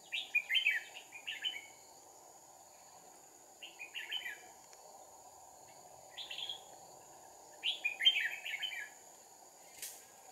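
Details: Bulbul trapping session with two decoy red-whiskered bulbuls, 2 April 2019: clusters of quick chirpy, slurred notes in four bursts with gaps between, a faint thin insect tone throughout and a brief sharp click near the end.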